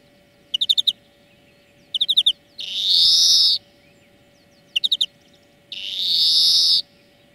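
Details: Song-lesson recording of a European greenfinch: short clusters of fast twittering notes, each followed by a long, loud, rasping wheeze, the pattern repeated twice over a faint steady hum.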